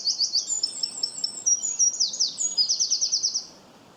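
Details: Bird chirping: a rapid, high-pitched song of repeated short notes in quick bursts, with trills and downward sweeps running about three and a half seconds before falling silent.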